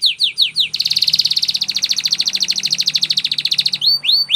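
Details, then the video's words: Canary training song: a few quick sweeping notes, then a long rapid pulsed trill lasting about three seconds, closing with bright rising slurs. "Canary singing Bird Sounds At Its Best | Melodies Canary Bird Song"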